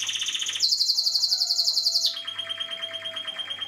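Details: A 2016 recording of a Spanish Timbrado canary singing a bright, rapid metallic trill that steps up to a higher, ringing sustained roll, then drops to a softer, lower rattling trill; faint low hum in background.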